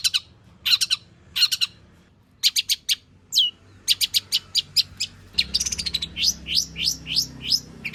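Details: Long-tailed shrike with a rich, varied song to lure other shrikes into singing: scratchy doubled notes, a rapid stuttering rattle, then a series of clear, sharply falling whistles repeated about twice a second.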